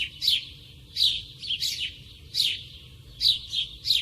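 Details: Sparrow heard close up, giving loud, sharp chirps in short bursts of two or three notes, about six bursts over four seconds, with quiet gaps between them and a faint low background hum.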